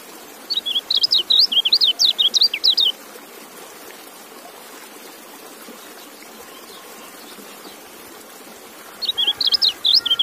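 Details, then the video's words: A white-eye delivers a rapid, tumbling string of high zigzag chirps for over two seconds, falls silent for several seconds of faint hiss, then starts another fast twittering run. "Relaksasi Suara Kecial"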